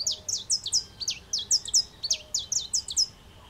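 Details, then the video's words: Brazilian saffron finch singing from an aroeira (pepper tree): dense, lively series of high, sharp chirps and downward-slurred notes grouped in bursts of two or three, nearly continuous, with soft low rumble behind. "Canarinho terra Amarelo na Aroeira cantando"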